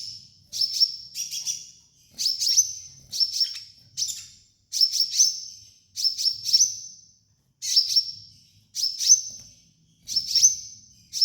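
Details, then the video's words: Sunbird (kolibri ninja) training master: short high chattering bursts, each with a thin steady whistled tail, repeated almost every second in a lively, uneven rhythm on a clean background. "MASTERAN KOLIBRI NINJA DAN TERAPI KONIN BAHAN"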